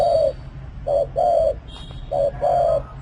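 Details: Spotted dove cooing: short low hooted notes paired with longer drawn-out coos, repeated at an uneven rhythm, with a faint steady hum beneath.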